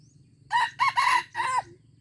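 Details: Junglefowl crowing in Aceh on 25 April 2020: a close, loud, hoarse crow in four clipped bursts, the third longest and the last held slightly, set against a soft low background rumble.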